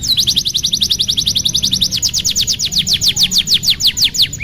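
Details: Young-canary training master song from a canary: long runs of quick repeated whistled notes, steady at first then slowing into broader downslurred sweeps, bright and high throughout.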